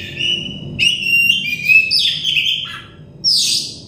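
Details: Oriental magpie-robin (kacer) song, used as therapy to get untrained or stressed birds singing quickly: loud, clear whistled phrases, some held and some sliding, mixed with quick chirps and a final harsh burst, over a low background hum.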